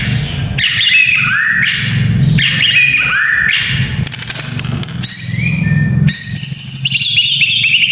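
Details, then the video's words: White-rumped shama song for training young males to fight, with paired downward-sweeping whistled phrases, a short pause, then bright rising and falling notes over low background rumble. "Murai Batu Fighter - Suara Ini Melatih Mental Fighter Murai Muda"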